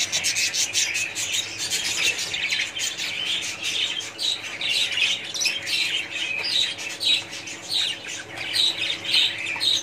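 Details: Budgerigars in a colony, loud pulsing chatter of many birds: rapid high chirps and squawks rising and falling in bursts every second or so; faint steady hum underneath.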